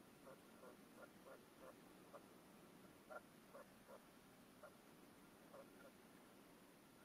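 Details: Caged decoy red-legged partridge on its first hunting stand, calling across the field to wild partridges with a 'mayor' song of four to five notes; clipped, repeated notes in uneven groups over steady background hiss.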